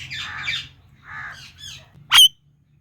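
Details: Indian ringneck parakeet, a talking parrot, giving loud natural sounds: rough, noisy, high-pitched chatters, then a single piercing shriek.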